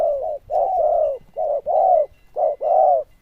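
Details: Zebra dove with a loud, bell-toned voice cooing in paired bursts: a short note followed by a longer rolling coo, repeated three times in quick succession.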